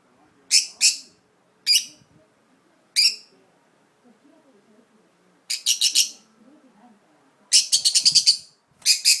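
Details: Budgerigar moved to an unfamiliar spot, feeling uneasy, repeats short harsh high chirps: pairs and singles spaced a second apart, then rapid clusters of four to eight scratchy notes; faint indoor background.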